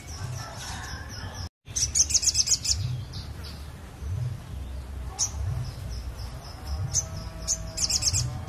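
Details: Lively crested jay in a bird-luring recording: runs of quick, high, clipped chirps in bursts, separated by pauses and single sharp notes, a brief dropout early on, low background rumble throughout.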